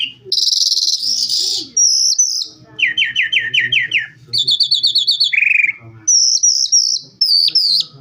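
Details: Varied Calandra lark song of distinct repeated-note phrases: a rapid trill, a run of descending chirps, a high stuttered series and downslurred whistles, each phrase changing pitch and pattern.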